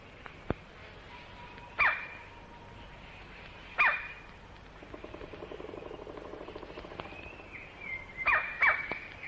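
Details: Male White-bellied (black) Woodpecker in Malaysian rainforest, recorded late 1950s–early 1960s: loud, piercing, harsh single calls about every two seconds, with a fast, frantic drumming roll in the middle and a faint whistle near the end.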